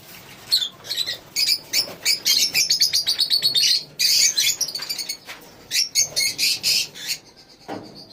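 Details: Colony lovebirds producing fast runs of sharp, high chirps, roughly four per second in places, overlapping into busy chattering with brief lulls.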